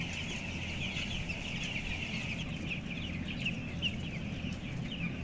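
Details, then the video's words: Broiler chickens 14 days old, around 525 grams, crowded 11,000 strong on the upper level of a closed house; many short high cheeps, some sliding downward, ring over a steady low hum. "Ayam Broiler umur 14 hari"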